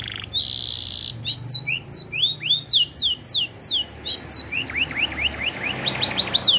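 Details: Caged canary, a competition-class singer, delivering a long filled-in song: a brief buzzy note, then clear descending whistled sweeps repeated about twice a second, shifting into rapid rising-falling chip series near the end.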